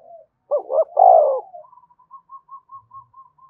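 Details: One spotted dove coo meant to prompt other doves to coo: a quick double note and a long hoot, then a string of about eight soft, evenly spaced little notes trailing off.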